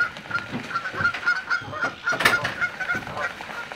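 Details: Canada geese fighting: a steady series of nasal honks repeated several times a second, with scuffling and rough broadband noise throughout.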